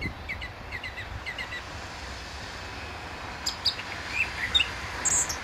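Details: Song thrush, a male, singing very close by from a telephone wire at a gravel pit near St Albans, Britain, in May 2012. Short sharp notes come in quick repeated bursts, then higher squeaky phrases, over a steady low traffic hum.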